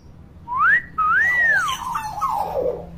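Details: Actively vocal common hill myna used to teach young mynas: a steep rising whistle, then a long smooth arched whistle sliding down into softer, fading wavering notes.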